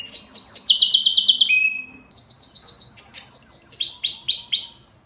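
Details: Mating-excitement song of a canary: bright fast trill of swept notes, a thin flat whistle, then a long run of high rapid notes and looping downward sweeps.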